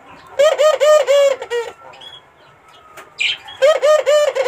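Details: Barbary dove singing to entice a rival: two bursts of low, rolling trilled coos, each run of several pulsing notes, separated by a quiet pause with faint clicks.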